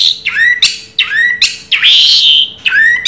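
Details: Orange-headed thrush in 'raja teler' song, repeating rising, slurred whistled phrases about every half second, then one longer, richer note.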